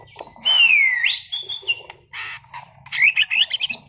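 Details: Caged competition-class white-rumped shama from Sragen singing loudly: a long sweeping descending whistle, buzzy bursts, then a tumbling sequence of rapid high chirps and twitters.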